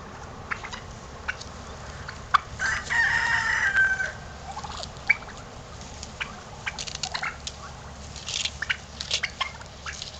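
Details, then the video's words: Domestic turkeys strutting, giving one loud rapid rattling gobble lasting about a second and a half, with scattered short clucks and scuffling noises before and after. "Strutting Turkeys"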